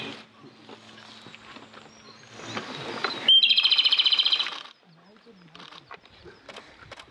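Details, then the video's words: Japanese robin on a mountain pass delivers one loud song, a brief high whistled opening note then a quick rattling trill of evenly spaced notes, framed by faint background chirps and rustles. "コマドリの囀り Japanese robin"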